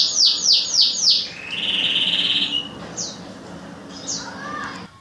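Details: Songbird trained for contests by song battles with other birds: a few loud, high downslurred notes, then a buzzy trill, then isolated sharp chirps.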